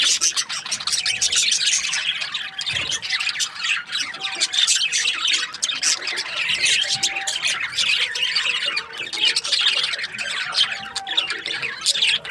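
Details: Budgerigars in breeding season, several birds chattering together: dense, continuous high chirps and squawky warbles overlapping without pause, with a faint steady low hum underneath.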